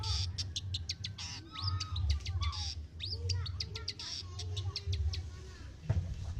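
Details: Cendet (long-tailed shrike), a bakalan bird originally from Lampung, in full song: rapid clicks and chirps mixed with upward-slurred whistles and a few harsher notes, over a constant low droning hum.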